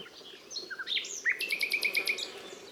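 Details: ['Nightingale song: a few slurred whistles and a rising note, then one sharp note repeated about seven times in quick, even succession.']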